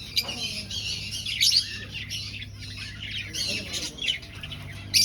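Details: Finches in an aviary colony during breeding, searching for a nest; dense high chirps and squeaky tweets overlap continuously, with louder bursts near the start, middle and end over a low steady hum.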